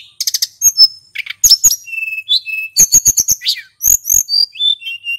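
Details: Male hill blue flycatcher in full song for luring birds: quick stuttering high notes, level whistles, rapid chirp series and downslurred whistled phrases.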